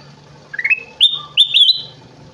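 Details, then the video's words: Kutilang emas bulbul singing vigorously: clear whistles stepping upward, then a run of bright, ringing, sustained high whistled notes, with a soft low hum in the background. "Burung kutilang emas gacor"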